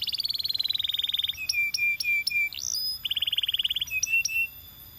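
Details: Male Belgian canary song mixing a steady buzzy rattle, short flat whistles broken by clicks, and a rising slur, then another rolling rattle and more whistled notes.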